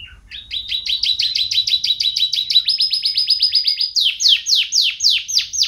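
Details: Canary champion-style song from Indonesia: a loud, rapid trill of identical sweeping notes repeated about four times a second, then shifting to a higher, faster rolling series of downward-slurred notes, with a quiet low rumble beneath.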